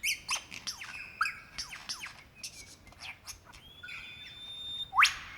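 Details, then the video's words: Wild male lyrebird in Victoria's Dandenong Ranges, February 2016, calling for a mate, all sounds his own: quick descending chirps and clicks, a long steady whistle, then a sharp loud upward sweep near the end. "Rare and incredible sounds of a Lyrebird calling for his mate"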